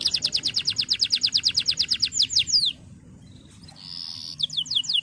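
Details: Male canary singing in full voice, used to coax young birds into song: a fast run of repeated high descending notes, then sweeping downslurs, a short pause and a steady whistled tone before more falling notes.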